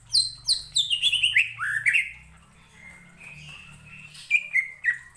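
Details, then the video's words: Greater green leafbird song used to provoke other leafbirds. Clear downslurred whistles tumble lower in a rapid run, fade to a soft sustained note, then return as a few loud slurred whistles over a low background hum. "BIKIN CUCAK IJO LAIN TERPANCING EMOSI & IKUT BUNYI"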